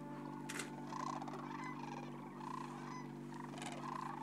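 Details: Sandhill cranes roosting in March on the Platte River, Nebraska, during spring migration. A dense chorus of rolling, trumpeting calls from many birds overlaps continuously, with a steady low hum underneath.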